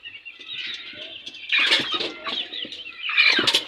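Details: Naughty fresh chicks scrapping with new arrivals: loud high peeps swell in bursts, mixed with heavy flapping and scuffling sounds.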